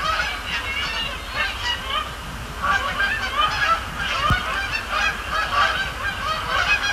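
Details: Canada geese flock at night at Sapsucker Woods Pond, Cornell Lab of Ornithology; steady overlapping honks in pulses throughout, a click midway, over a low rumble.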